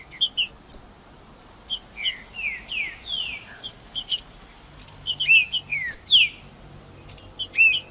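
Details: Wild Green-winged saltator singing in woodland, played to rouse a silent bird: a busy run of downward-sliding whistles alternating with thin high chirps, delivered almost continuously over a calm background.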